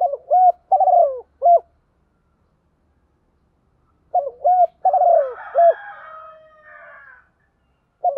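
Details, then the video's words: Spotted dove decoy bird, male and female, cooing in the morning to lure wild doves: short groups of low, throaty coos repeated in bursts, with a softer rustling noise after the second group. "Tiếng chim cu mồi gáy gọi bổi buổi sáng/ chim cu gáy kích bổi rất nhanh nổi"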